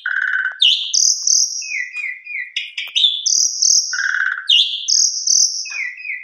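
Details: Asian pied starling lure song, rich in mimicked 'isian' phrases and 'mompa' pumping, used to provoke other birds to sing: continuous varied whistles, high sustained notes alternating with lower buzzy and slurred phrases, delivered without pause.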